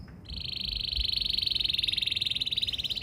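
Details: Canary lure song for provoking other canaries to sing: after a brief quiet start, a single long rapid trill of high buzzy pulses swells in loudness and runs steadily to the end.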